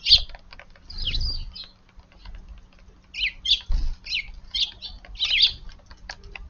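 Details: Eurasian tree sparrow visiting a garden early in the morning: squeaky chirps in short irregular runs, a few rising notes, and occasional low bumps and rustles.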